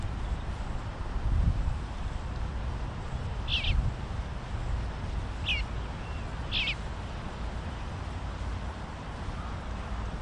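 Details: Three eastern bluebird fledgling brothers eating together; three short, high, downward-slurred chirps about a second apart, over steady low rumbling background noise.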